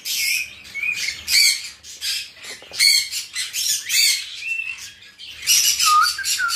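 A cockatiel gives short, clear whistled notes that slide up and down, mixed with harsh squawks and chatter from other caged parrots.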